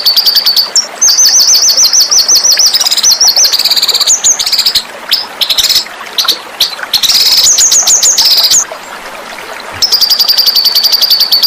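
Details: Small songbird singing a sharp, fiery song used for training other pet birds: rapid high trills and repeated buzzy phrases, changing pattern every second or two, with brief pauses and a high chattering burst near the end.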